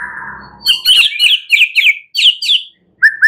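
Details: White-rumped shama at night giving a quick string of bright chirped notes, about eight in under two seconds, after a low rumble, then a short whistled note; meant to stimulate singing.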